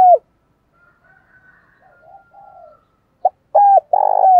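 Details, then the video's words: Decoy spotted dove of the thổ singing style used to lure wild doves: a brief coo, faint murmuring notes, then a loud burst of three rapid hooting coos ending in a drawn-out falling note. "Chim Cu Mồi Thúc Bổi+chiêu và gáy gọi kích bổi"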